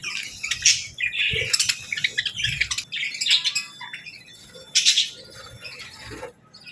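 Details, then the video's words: Budgies recorded in natural morning light, a female chirping gently during feeding and bathing: busy, high twittering warble with rapid chirps and scratchy notes, nearly continuous, a brief low thump midway. "Real Budgies Enjoying Morning"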